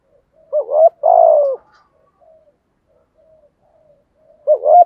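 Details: Spotted dove with a prized 'giọng thổ' voice, coaxed into cooing quickly: a short two-note hooting lead-in ran straight into a longer, slurred, falling coo, then a pause and the same opening again.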